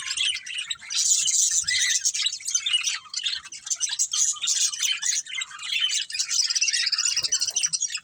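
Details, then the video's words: Several pet budgerigars, a family group, chirp together indoors in a dense, continuous chatter of high warbling twitters and short squeaky notes, with a brief lull near the end and no other clear sounds. "Cute Budgies Chirping Sounds"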